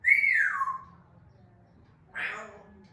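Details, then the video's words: Natural sound of an African grey parrot. A loud whistle rises slightly, then glides steadily downward. After a pause comes a short, harsh, raspy squawk. "10 minutes Natural parrot sound 😍🦜 مقطع تحفيزي لببغاء الرمادي الافريقي🦜"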